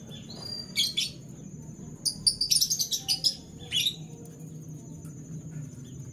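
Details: Caged canary's morning song: a short high twitter, then a fast string of about ten bright chirping notes and a final burst, over a steady thin high tone and low hum.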